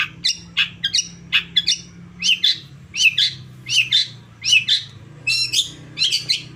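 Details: Lure song of a long-tailed shrike meant to provoke caged birds into replying: rasping chattering phrases, each a quick pair of grating notes, delivered at a steady pace of about one to two per second over a low background hum.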